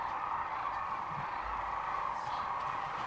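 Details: Sandhill cranes gathered at the Iain Nicolson Audubon Center at Rowe Sanctuary, Gibbon, Nebraska, near Kearney, on March 13, 2014, making a dense, unbroken chorus of overlapping calls that blend into a steady roar.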